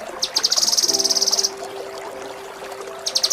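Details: Kinoi training song for contest songbirds, in a ngepik, tembak and Cililin style: a dense buzzy high trill lasting about a second, then quiet, then the trill starting again, over a faint steady low hum.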